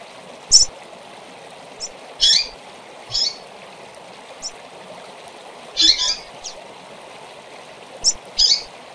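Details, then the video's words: Short high chirps of a Double-collared seedeater, played to fire up and teach kept birds. Sparse, irregular sharp notes, some single and some paired with a buzzier note, spaced a second or more apart against steady background hiss. "Piado TOP para Foguear seu Coleiro ou Papa capim"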